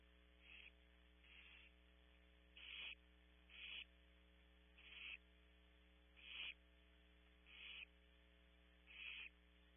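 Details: Hungry Barn Owl owlets begging at a nest at Audubon Starr Ranch, California, on a nest camera; one desperate owlet pulls a sibling's wing. Seven harsh, hissing screech bursts, roughly every second or so, over a steady electrical hum.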